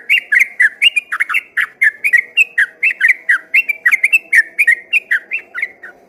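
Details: An actively singing yellow-vented bulbul delivering rapid ropel song, once mistaken at a distance for a straw-headed bulbul: a lively, unbroken run of bubbling, slurred whistles, rising and falling, over a soft steady low hum.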